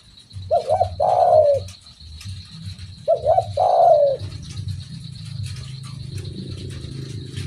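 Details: Spotted dove giving two phrases of a wavering double coo and a long falling coo, about two and a half seconds apart, then low rumbling background noise.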